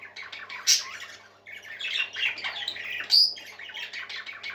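Parakeets chatter in a busy, scratchy warble of quick chirps, broken by two sharp squawks, with a faint indoor hum underneath.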